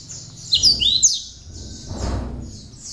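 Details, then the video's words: Cinereous tit song with bar-winged prinia notes, used as training material for other songbirds: a few sharp, very high, slurred notes in quick succession over a steady high, rapidly pulsing chatter, with low background rumble. "Kicau Burung gelatik batu (Wingko) isian ciblek"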